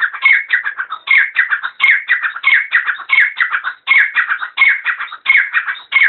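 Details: Grey francolin (gora teetar) calling in a rapid, rhythmic chorus of harsh, squeaky phrases, each a quick cluster of notes repeated about every second and a half, continuous and loud with a clean background.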